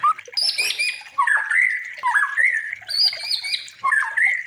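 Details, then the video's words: Training recording for other birds of white-rumped shama song. Raspy, squawky phrases with short whistles repeat about once a second in a loose rhythm. "Masteran Murai Batu Emosian? Coba Suara Aneh Ini"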